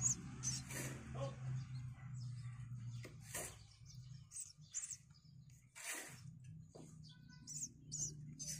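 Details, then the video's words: Five-day-old Javan myna chicks fed in turns by the male and female parent at a nest box; harsh broadband rasps and short high chirps in uneven bursts, with a low droning hum underneath. "Indukan Burung Jalak meloloh Anaknya"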